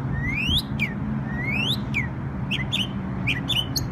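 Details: Bird in New York on Memorial Day gives two long rising whistled slurs, each followed by a short falling note, then a run of brief clipped chirps, with a constant low hum throughout.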